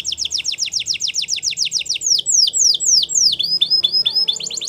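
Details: Russian canary flute song for training: a quick series of falling whistled notes, about four per second, slowing into longer descending whistles, then rapid chips at the end.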